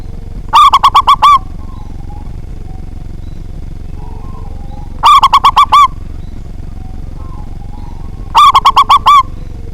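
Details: Loud local zebra dove song used to provoke competing birds to sing: three bursts of rapid, rolling coos, the last note of each held longer, spaced about three to four seconds apart above a constant low hum.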